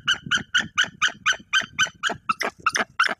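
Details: White-tailed eagle female guarding her eggs against an intruder on the nest tree, Bory Tucholskie, Poland. A fast, steady run of about fourteen sharp, nasal yelps, several each second, with faint rustling underneath.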